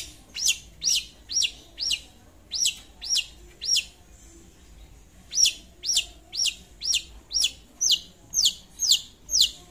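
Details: Long-tailed shrike singing to call a rival: loud, sharp, high-pitched down-slurred notes repeated about twice a second in regular runs, with one brief pause midway.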